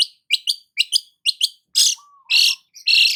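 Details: Long-tailed shrike in morning sunshine: paired crisp high chirps repeated in quick succession, followed by broader harsh, rasping bursts and a short low whistle.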